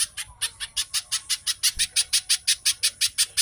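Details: Short burst of little spiderhunter song, fast and tightly spaced: shrill, scratchy chips repeated about five times a second, meant as a lure to make birds sing.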